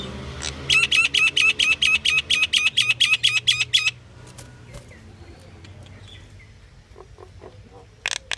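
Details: Pied myna giving one of its varied calls: a fast run of about a dozen harsh, ringing notes over roughly three seconds, then near quiet with faint clicks and a last short burst of noisy notes.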